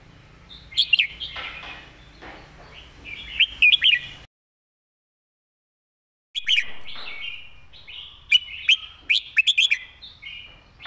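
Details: Red-whiskered bulbul master song, clearly sung, used for teaching other birds; quick chattering, warbled phrases with sharp accents, in two bursts separated by about two seconds of silence.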